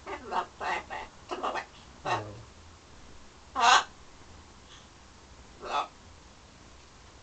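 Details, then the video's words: Pet parrot indoors somewhere in London, flirting with its mirror image and with birds outside the window: a run of short, harsh, clicking squawks in quick bursts, then a louder rasping squawk and a few scattered later calls. "My bird flirting in the mirror & to others out the window"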